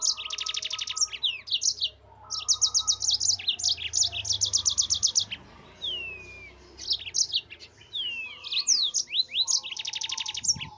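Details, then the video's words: Yellow-fronted canary in full ngerol song, used as a master recording for cage birds: long fast trills of bright repeated notes broken by short pauses, a few long descending whistles, and a low background hum. "MASTERAN BURUNG MOZAMBIK GACOR NGEROL"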